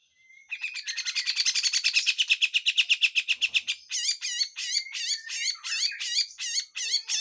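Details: Grey-cheeked bulbul in harsh full song with besetan: a long, fast, dry rattle building in loudness for three seconds, followed by a rapid series of sharp, looping chirped notes.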